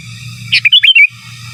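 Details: Sooty-headed bulbul singing in the gacor, giras and menggaruda style, used as a master song for training: one short burst of bright, bubbly whistled notes that rise and fall, over a low steady hum.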